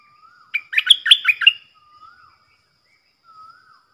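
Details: Captive stripe-throated bulbul decoy bird singing a loud, clear 'phleng boen' style song, used to teach young birds and lure wild ones: one quick burst of bubbly, dropping whistled notes, with soft lower warbles before and after.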